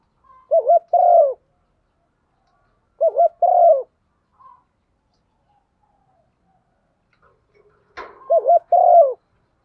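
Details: Female spotted dove urging a male, three spaced two-part coos, a trilled start and a drawn-out soft coo, separated by long silences, with a sharp click just before the last phrase.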